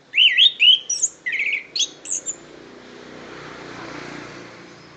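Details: Loud, close orange-headed thrush from Kediri pouring out a two-second string of rich wavering whistles and trills, followed by quiet hiss.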